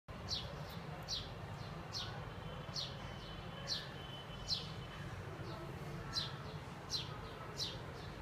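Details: A lone bulbul singing in a tree gives short, bright, downward-slurred chirps, roughly one every second, over a steady low rumble of background noise.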